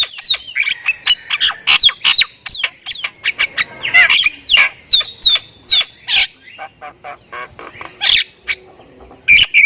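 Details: Lively Javan myna, Thailand type, pouring out continuous song full of fill-in notes: rapid squawks, clicks and short falling whistles tumbling together with hardly a pause for almost ten seconds.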